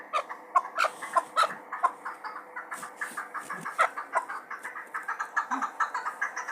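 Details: Chukar partridge from Muminobod, a bird valued for hunting: a run of short clucking notes repeated quickly and unevenly, with several overlapping callers and a faint steady background hum.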